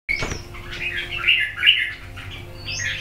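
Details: Red-whiskered bulbul from A Lưới, Huế, Vietnam, wild-type bird with red cheek patch, two seasons old; a short burst of bright chattering notes, then warbled whistles in phrases across three seconds, with a low steady hum underneath.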